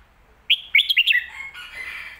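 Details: Red-whiskered bulbul in the popular Phat Kuai Tiao, or Mae Bot, song style. A crisp run of five or six lively, jumping whistled notes ends in a falling slur, then fades into a faint, hissy tail.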